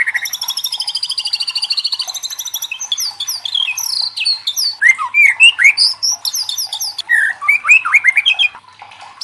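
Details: White-rumped shama song used as a lure to set other shamas singing loudly: fast repeated high trills, then varied whistled notes and sharp upward and downward sweeps, rich and continuous.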